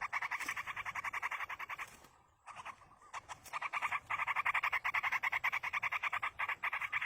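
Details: Yellow-vented bulbul chicks begging as a parent feeds them in the wild: rapid, harsh, buzzy pulsed notes repeated about three to four times a second in long runs, with one short pause near the middle.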